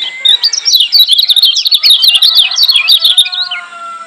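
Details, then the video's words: Lombok white-eye (kecial kuning) masteran track to make other white-eyes emotional: continuous loud, rapid high twittering with jumpy, sliding notes, and a faint steady tone underneath. "Masteran Kecial Kuning Joss NGOTOT Ampuh Bikin Kecial Yg Denger EMOSI KEPANASAN‼️"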